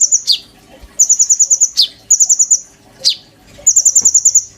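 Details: Oriental magpie-robin kept in a cage, used as a song tutor for white-rumped shamas: quick high pulsed trills broken by sharp falling notes, four bursts in quick succession, clear and loud.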